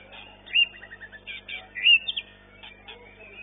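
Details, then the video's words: White-rumped shama, long-tailed class, at a singing competition where it took first place; short whistled notes, a rising slurred whistle and a quick descending trill of chips, with faint background chatter. "MARTABAT MURAI MANIA-SESI 9 JUARA 1 KELAS MB EKOR PANJANG EXSOTIS"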